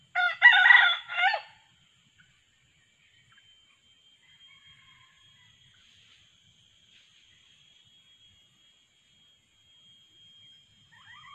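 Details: Red junglefowl trapping with a decoy male and female voice: one brief loud broken crow at the start, then near silence with a faint thin hum and a soft note at the end.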